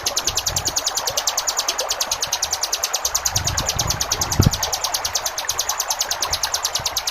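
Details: Rapid, closely spaced high chips from a ciblek gunung in 'ngebren' style, meant for tutoring caged birds. The notes pour out evenly at roughly three per second while flowing water murmurs low and a soft knock sounds midway.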